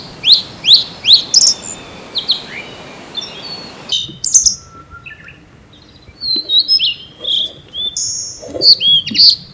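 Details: Blue-and-white flycatcher, one of two birds disputing a territory at the same site, recorded in April in Japan; high whistled notes with steep falling slurs, then a thinner varied phrase of clear whistles and buzzy notes near the end.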